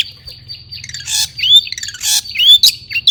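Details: Agitated song of a caged long-tailed shrike (cendet), used to provoke rival shrikes. A steady high tone underlies bursts of harsh noisy rasps and rising slurred whistles.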